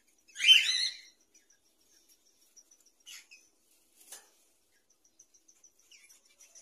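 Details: Cockatiel; mating call; given during mating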